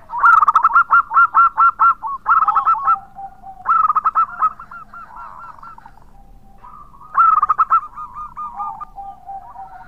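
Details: Local wild-type zebra dove singing loudly, used as a lure to attract other birds: four bursts of rapid, staccato cooing notes, each a quick rolling run, with softer drawn-out coos from other doves filling the gaps.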